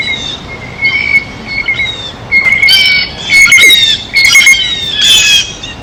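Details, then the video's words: Blue jays at a feeder eating: softer scattered calls at first, then louder harsh squawks roughly every second, over a steady thin high-pitched tone. "El SONIDO DEL BLUE JAY (Arrendajo Azul)"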